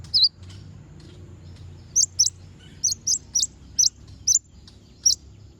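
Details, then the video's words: Konin singing to provoke rival birds into singing. Sharp high chirps, each a quick up-and-down flick, come singly or in close pairs at irregular intervals of about half a second to a second, over faint low background hum. "Konin bunyi manggil lawan"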